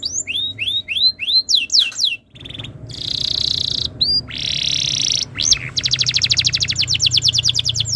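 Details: Canary song used as a master for other canaries: looping whistled slurs, a short pause, a drawn-out buzzy note, then a long rapid trill of rising notes.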